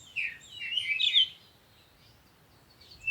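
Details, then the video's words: Early morning at sunrise: a single bird phrase of warbled, slurred chirps lasting about a second, then near silence with steady background hiss, and a final short note. "Morning Sunrise and Birds sound"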